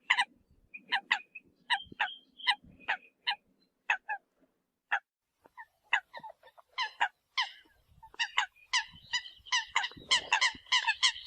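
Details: Eurasian coot decoy sound: sharp, nasal notes that grow denser and overlap toward the end, as if several birds call at once, with faint low rumbling.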